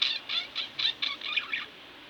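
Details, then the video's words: Pet budgerigar giving a steady run of seven rounded, slightly squeaky chirps roughly every quarter second, each with a warbling, buzzy quality, ending in quiet. "Budgie Birds Extravaganza-Relax With My Budgies"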